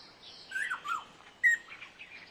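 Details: Black-necklaced scimitar babbler, recorded July 2011 at Dagangshan, Taiwan, gives three brief mellow whistled notes slurring downward, with a sharper final note after a short pause, over faint background hiss.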